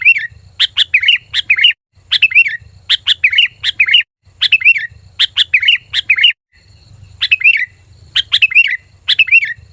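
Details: Sooty-headed bulbul lure call, said to attract other bulbuls and make them answer: loud, clear, sharp chirping phrases, usually three quick bursts at a time, separated by short pauses, with a low hum underneath.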